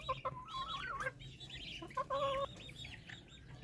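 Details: White Silkie chickens at a farm in Punjab, Pakistan: drawn-out, level, nasal calls held about a second each, separated by short harsh squawks, with a constant low electrical hum behind.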